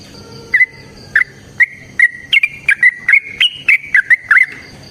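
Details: Sooty-headed bulbul, lively fighting song meant to make other bulbuls respond: sparse clear whistles at first, then a quickening series of short, slurred fluty notes rising and falling slightly.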